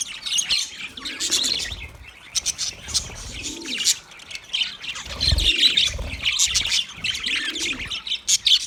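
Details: Group of budgies chirping in waves: rapid high twittering and sharp squeaks rise and fall, with soft low rounded notes repeating beneath the chatter.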